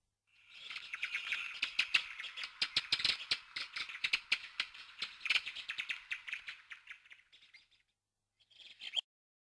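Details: A Redwing (Turdus iliacus), a rare or passage bird in Corrèze, France, gives a harsh, dry, rattling chatter with fast clicking notes for about seven seconds, then a brief final burst.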